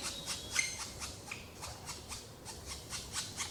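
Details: Black woodpeckers in a Trentino forest, Italy, late spring 2018, a pair taking turns tending juveniles still in the nest; a series of dry, raspy, hissing notes repeated about three times a second over quiet woodland background.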